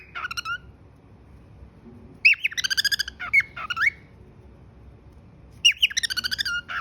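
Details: Pet cockatiel whistling: bursts of bright, harmonic chirps and rising-falling whistled notes, rapid trilled runs around the middle and end, separated by pauses over a steady low household hum.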